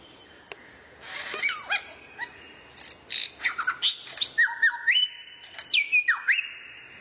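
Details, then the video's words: Songbird recorded as training material for White-rumped shama: a varied phrase of harsh chattering notes, then sharp whistles, then long flat whistled tones broken by quick downward slurs, on a quiet background. "MASTERAN BURUNG LANGKA YANG BISA JADI SENJATA PAMUNGKAS BURUNG KACER"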